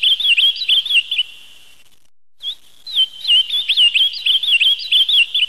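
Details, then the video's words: Ultramarine grosbeak song: a rapid, warbling run of sweet high notes, broken by a brief pause, with faint thin chirps above. "Canto do Azulão"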